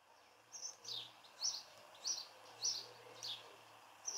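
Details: House sparrow giving display chirps in a garden in Cornwall: short, bright, slightly descending chirps repeated about every half second, quiet against a faint steady hum.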